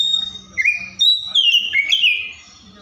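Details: Oriental magpie-robin singing bright, sliding whistles that rise and fall, with short loud phrases over a faint low background hum.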